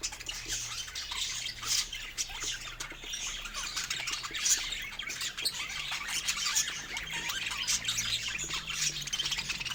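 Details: Pet budgerigars chirping while eating fruit: a busy, continuous mix of bright twittering notes and short squawks from several birds at once, with a faint low hum beneath.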